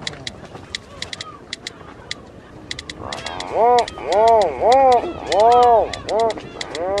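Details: Rhinoceros auklet, also called hornbilled puffin, at the East Sea of Korea; dry ticking clicks for three seconds, then a series of loud moaning, arched groans rising and falling, several in quick succession.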